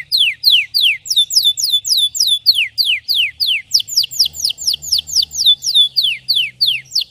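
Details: A red Belgian canary delivers an intense training song: a steady run of loud, downward-sweeping whistled notes, about three per second, repeated with slight variation throughout, over a faint low hum.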